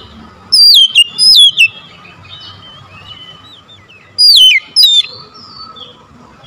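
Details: Oriental magpie-robin song used as a lure to make a silent, reluctant bird answer and sing: two loud, sweeping whistles falling in pitch, a pause with faint soft warbles, then another clear pair of descending whistles and a final note.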